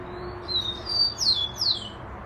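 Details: Single song of a Rufous-collared sparrow: two level, thin whistled notes leading into two bright, falling slurred whistles, clear against a quiet background.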